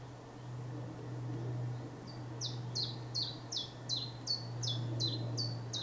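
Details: Chiffchaff singing on a misty spring morning, giving 'chiff chaff' phrases and then only 'chaff' notes: after two seconds of quiet, about ten high, clipped, downward-slurred notes follow in a brisk, even series over the steady low drone of a passing plane.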